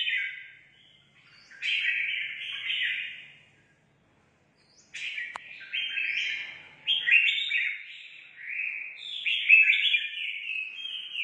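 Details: Red-whiskered bulbul newly caught from the forest, singing competitively: bright warbled phrases of quick rising and falling notes in two bursts separated by a silent pause, with a sharp click near the middle.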